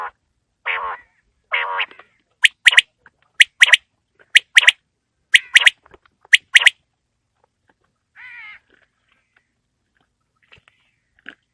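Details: Quail calling on a winter evening. Two low buzzy notes lead into five sharp triplet phrases at one-second intervals, then a softer nasal note and a long quiet stretch.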